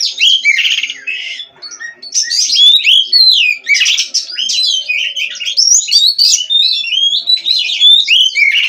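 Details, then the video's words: Captive-bred Oriental magpie-robin in nonstop song: many sharp rising and falling whistled slurs strung closely together, some scratchy twittering, and only one short dip in volume early on. "GACOR NONSTOP!! Rahasia Kacer Bikin Semua Kaget!"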